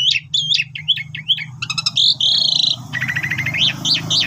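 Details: Energetic song of an Asian pied starling meant as a training master for young birds: quick repeated whistled notes, a rattling stutter, a long buzzy note and rapid chatter, over a steady low background hum.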